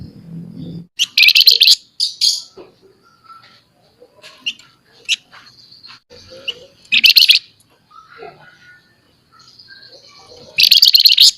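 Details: Scaly-breasted munia in full voice, chattering and noisy, giving loud buzzy high-pitched chatter bursts near the start, at about seven seconds and at the end, with softer scattered chirps between.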